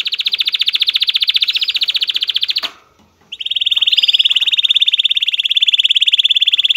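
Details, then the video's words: Excited male canary singing to stimulate females to mate: a fast rattling trill, a brief silent break, then a smoother, higher and very rapid rolling trill held to the end. "طائر كناري هائج. لتحفيز اي انثى على التزاوج"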